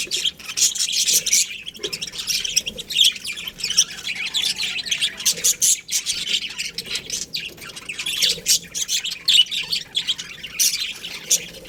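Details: Budgerigars chirping together in a colony, scattered bright chirps and rasping squawks forming an uneven chorus that rises and falls.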